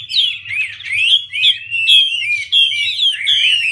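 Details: Loud hwamei (Garrulax canorus) song during a female's fanning dance to stir the male: short emphatic whistled phrases, each sliding and twisting, repeated about once per half second.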